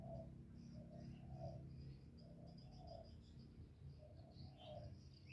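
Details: Spotted dove (cu gáy) in the 'giọng thổ' voice style, giving calling, urging and cooing phrases meant to stimulate males: low, soft, mellow coos in groups of three, repeated steadily, with faint high chirps from other small birds.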